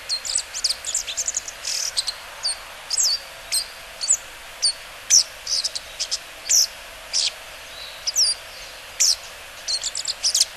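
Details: Bull-headed shrike on the Mukogawa riverbed, 14 September 2015, giving short, harsh, high-pitched notes in quick irregular bursts, roughly two each second, over a faint background hiss.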